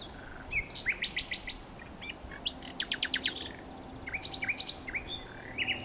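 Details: Rich nightingale singing: a short whistle, then rapid rattling bursts of evenly spaced loud pulses, repeated twice, ending in upslurred chirps and a rising whistle; a faint low hum runs underneath.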